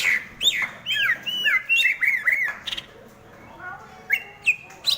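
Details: Greater green leafbird, Bornean, Sumatran or BWI type, sings a varied run of rapid whistled slurs and chattering notes, some rising and some falling, with quieter pauses between bursts.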